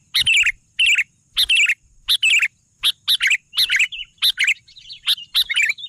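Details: Sooty-headed bulbul singing energetically: bursts of dry, sharp chirps with short downward-sliding buzzy notes, grouped in quick clusters about every half second, with brief silent gaps between bursts.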